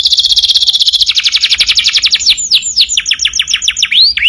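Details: Canary master song for teaching other birds: a fast continuous trill that slows into separate downslurred whistled notes repeated several times a second, ending in swooping notes.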